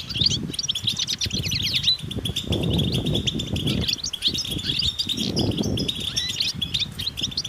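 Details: Several European goldfinches twittering together outdoors in nature, mating and readiness calls meant to stimulate males to sing: dense bright chattering trills and buzzy twitters, with heavy low rumbling noise bursts throughout.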